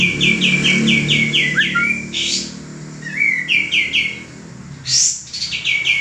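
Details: Song of a male common iora kept for training cage birds: runs of quick chirped notes broken by a downslurred whistle and a high upward sweep, with a low background hum.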